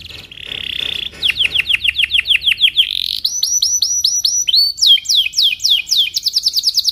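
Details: Belgian canary in morning song, played to coach young canaries: a short buzzy roll, then fast repeated downslurred whistles changing to new, higher phrases every second or so.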